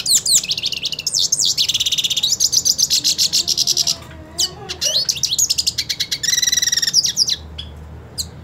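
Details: Aggressive purebred hooded siskin singing at a rival male it wants to fight: long, varied high twittering with sweeping slurred notes, rapid buzzy chatters, short pauses, and a dense even trill toward the end.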